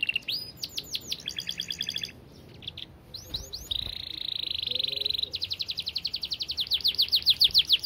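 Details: Canary in a long, clear song: high rapid flicks, a stacked rattling phrase, a brief lull, quick upswept notes, a buzzy sustained roll, then a fast even trill of high notes to the end.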